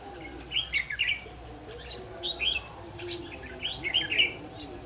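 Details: Red-whiskered bulbul kept as a decoy bird for trapping, recorded 8 October 2016; short bright warbled phrases in quick bursts of two or three, with pauses between, over a low steady background hum.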